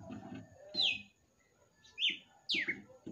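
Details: Kept red-cowled cardinal singing at the end of the night: three separate clear whistled notes, each sliding sharply downward, spaced about a second apart, with low soft household knocks underneath.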